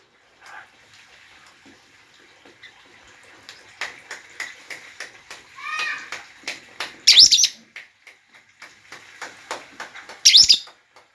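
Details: Lovebird calling: a string of short clicks and chirps, a brief rapid twitter in the middle, and two loud piercing shrieks a few seconds apart, set against a quiet room.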